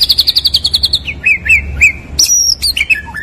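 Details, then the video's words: Gacor white-rumped shama: a quick run of repeated high notes, then wavering whistles and a high sweeping phrase that drops away in stepped notes. "Materi sang juara || Murai batu Istimewa Gacor"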